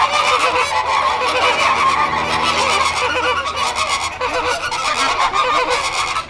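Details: Many flamingos honking together after an airplane has flown over, a thick steady babble of harsh nasal notes from the flock, the calls running into each other, over a soft low hum.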